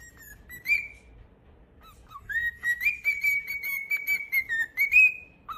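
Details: Cockatiel kept as a pet, on a singing spree: a short rising whistle, a pause with brief low notes, then a long even whistled phrase that ends on a higher note.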